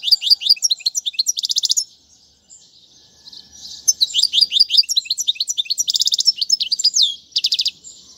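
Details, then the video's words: Goldfinch song for training chicks: a quick twittering phrase ending in a buzzy trill, a pause of about two seconds, then a longer stream of liquid twitters and dry rattles. "أفضل تغريد الحسون"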